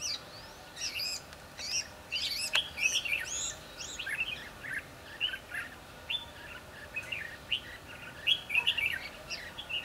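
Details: Red-whiskered bulbul used as a decoy while trapping wild bulbuls on 22 December 2015, singing bright, quick whistled phrases of rising and falling chirpy notes in irregular bursts, over steady low background hiss.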